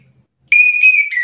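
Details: Orange-headed thrush provoked to sing back, giving a loud, steady whistled note with slight wavering, followed by a short lower whistle.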